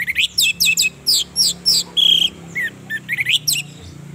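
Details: Orange-headed thrush (anis merah) female used as a lure to stir male birahi and emotion, singing a fast, lively string of high, sweeping whistled phrases, each a fraction of a second, with a brief buzzy note mid-way.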